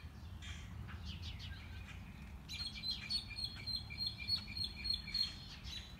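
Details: A very enthusiastic mockingbird, heard but not seen on a morning walk, runs through its repertoire: soft varied notes at first, then a fast, bright, high note repeated about three times a second for several seconds.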